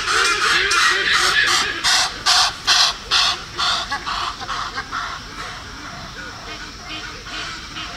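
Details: Up in the trees in sub-Saharan Africa, a noisy group of Black-and-white-casqued Hornbills gives loud, nasal, braying calls resonating in their large beaks, about two a second, with a honking tone, fading to quieter background chatter.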